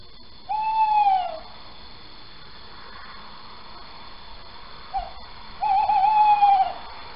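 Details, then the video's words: Male tawny owl calling at night, 4 January 2020 around 01:08, Sprundel: a long mellow hoo, a pause of about four seconds, a short hu, then a long quavering hoo. "bosuil man roept"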